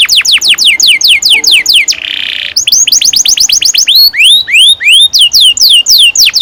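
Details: Canary in full song with long rolls, used to coax young canaries into singing: fast series of high descending whistled sweeps, a brief buzzy burst, then more rapid sweeps and upward-curving notes.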